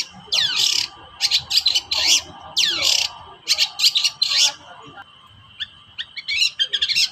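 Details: Long-tailed shrike, an agitated, vigorously calling bird used to provoke reluctant shrikes into singing: harsh, scratchy bursts and sweeping notes in rapid clusters, separated by short pauses.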